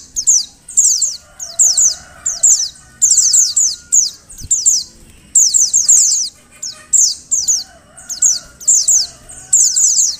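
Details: Calls of a female Oriental white-eye, given so that males start singing: dense runs of shrill, falling chirps in bursts of three to five, almost continuous, over a faint wavering hum.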